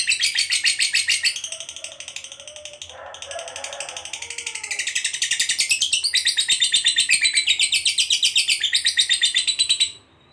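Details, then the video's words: Fighter lovebird delivering a long 'ngekek panjang' trill to provoke other lovebirds: fast shrill chattering, a brief pause with quieter mixed sounds around three seconds, then a strong, steady, rapid trill resuming until it stops abruptly. "Suara Lovebird Ngekek Panjang Ini AMPUH Buat Pancing Emosi Labet"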